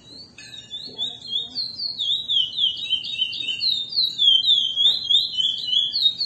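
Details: Chestnut-bellied seed finch (Sporophila angolensis), classic song.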